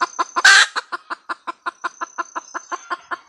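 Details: Female red junglefowl cackle, opening with a few clucks, then one loud rasping squawk, followed by a steady train of short, clipped clucks at roughly four to five per second.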